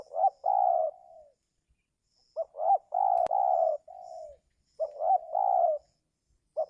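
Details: Spotted dove coo used to lure wild birds for trapping during the giring season: repeated phrases about every 2.4 seconds, two quick rising notes then a long level coo trailing off lower, with faint high chirps in the background.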